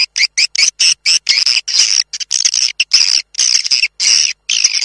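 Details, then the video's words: Swiftlet twittering from the "tombak raja" lure recording used to draw birds into swiftlet houses: dense high buzzy chirps in short bursts separated by brief gaps, fairly continuous throughout. "SUARA WALET TOMBAK RAJA"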